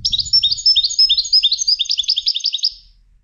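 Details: European goldfinch, trained for song competitions, delivers a nearly three-second phrase of high, sliding twittered notes, each a quick bright upward chirp in fast succession, then quiet.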